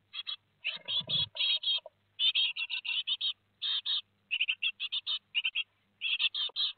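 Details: Great tit young at Théding, 15 July 2020, two days from fledging: dense scratchy buzzing chirps in rapid clusters, with a low thump near the start.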